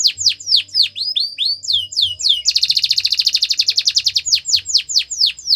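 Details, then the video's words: Canary singing a training song: a series of separate descending whistled notes about four per second, breaking into a rapid, dense rattling trill, then returning to spaced downward-swept notes. "The Best Canary Sounds !! Canary Training"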